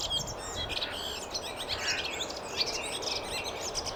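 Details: Several waxwings in Finland calling together, high, thin, buzzy trills overlapping without pause, set against a broad wash of background noise.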